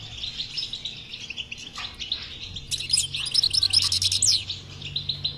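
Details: Batbata-style European goldfinch song meant to stir a silent goldfinch into singing: rapid liquid twitters, then a louder burst of sharp, very high buzzy trills near the end.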